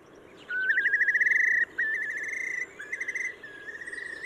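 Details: Whimbrel, a long down-curved-billed shorebird of Trinidad's west coast, giving its distinctive bubbling call: rapid, rippling whistled trills, each a fast run of notes at steady pitch, repeated in four bursts over faint background hiss.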